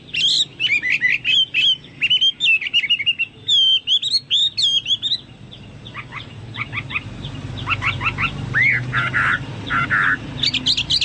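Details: Chinese hwamei song: rapid series of whistled, slurred notes and sharp chips in loud bursts, then a quieter stretch with scattered repeated notes and rising whistles, ending in high clear phrases.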